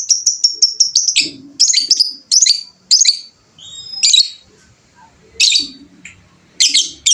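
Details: A fighter lovebird opens with a fast, even trill of sharp, high notes, then moves into harsh, buzzy chattering bursts with pauses. Soft low clucking sounds appear underneath.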